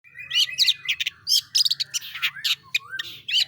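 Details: Caged long-tailed shrike, known locally as pentet or cendet, in energetic gacor form with a rolling burst style; a rapid mix of harsh buzzy notes, sharp chirps and slurred whistles, with a faint low hum throughout.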